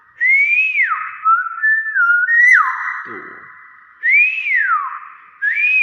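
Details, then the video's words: Nias hill myna uttering clear, loud whistles that rise and then slide down, with short level notes between them, a brief rough note in the middle, and the rising-falling whistle repeated near the end. "BEO NIAS SUARA ASLI"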